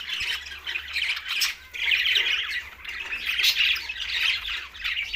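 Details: Green budgerigars produce loud, continuous harsh squawks and warbles, the chatter swelling and easing in waves.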